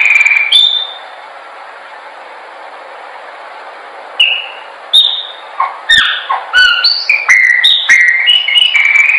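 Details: Chopi blackbird song for bird training: one whistle, then several seconds of near silence over a low hum, then a fast, quickening stream of chirps and bright slurred whistles.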